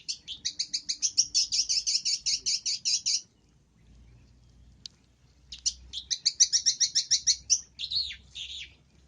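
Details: Long-tailed shrike in a training recording full of varied song content, singing steadily: fast runs of high, buzzy repeated notes in two bursts about three seconds long, separated by a short pause, ending in harsher slurred notes.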